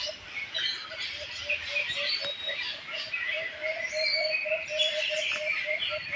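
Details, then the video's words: Several birds chirp together in a busy, overlapping chorus of high twittering notes, over a steady low tone pulsing about twice a second. "Birds Chirping Sound"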